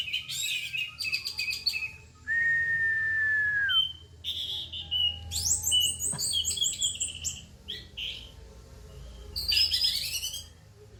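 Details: Orange-headed thrush delivering tembakan song with rough material: dense chattering bursts, a long sustained whistle, and then rapid, varied high phrases that jump in pitch, with short gaps between them.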